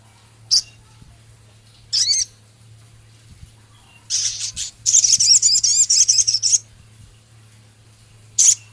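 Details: Male Javan cochoa in a training recording including Scarlet minivet imitations and coarse ticking chatter: scattered sharp high chips, then a long rapid series of rough buzzy ticks lasting over two seconds, ending with a single chip; low hum throughout.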